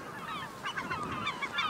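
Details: Several gulls at a nesting colony with eggs and chicks in Katmai National Park, Alaska, give nasal, slightly rising cries that overlap, starting faint and growing into a busy chorus after half a second.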